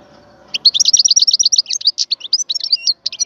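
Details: Wild European goldfinch song: after a quiet start, a fast, tinkling stream of high twittering notes and liquid trills, rising and falling in quick succession.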